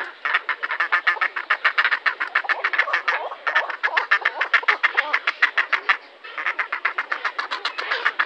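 Grey heron giving a harsh, rapid chattering series of dry, clicking notes, about three or four a second, with a brief pause partway through.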